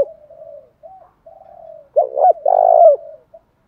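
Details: Spotted dove, said to be pigeon-sized, prompted to call as if for a contest; soft low murmured coos lead into a louder phrase of two quick notes and a long sustained coo, clean quiet background.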